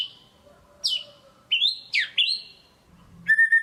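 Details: White-rumped shama in 'gacor' lure song for rousing lazy singers: a faint whistle, then separate sharp downslurs and upslurred whistles, ending in a warbled whistled phrase.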